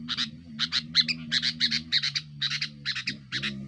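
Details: Sooty-headed bulbul in loud song to pressure rivals, used for luring: paired harsh chattering notes repeated in small clusters, over a steady low droning hum.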